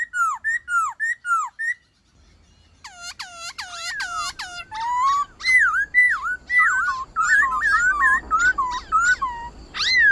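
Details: Forest-voice song of a black-throated laughingthrush, used to train captive birds: down-curving whistles, a brief gap, sharp buzzy strokes, then a loud flowing series of varied slurred and looping whistled phrases over faint background hiss.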